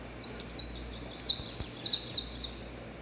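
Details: Wild Saffron finch male, pre-dawn courtship song near a female: irregular high chips and short buzzy trills, several notes clustered and overlapping, over quiet background noise.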